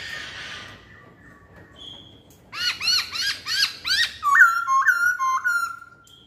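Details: Lure song of a masked laughingthrush: after a faint hissy start, a quick series of arched rising notes repeated about every third of a second, then three clear falling whistles.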